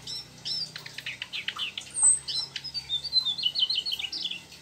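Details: Mugimaki flycatcher singing an active, rolling song with mimicked sooty-headed bulbul material; a dense run of high chirps, short whistled slurs and quick twittering notes, delivered almost without pause over a faint low hum.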